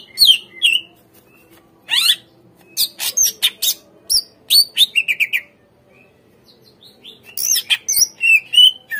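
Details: Greater green leafbird song used as a lure to get untrained captive leafbirds to respond and sing: bursts of sharp chirps and sweeping high whistles, then a run of quick repeated notes, a pause, and more upslurred whistles.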